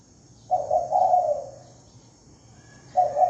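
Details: One full cooing phrase of a spotted dove used as a lure, a short broken opening then a drawn-out, gently falling coo, followed by the start of the next phrase; faint steady hum.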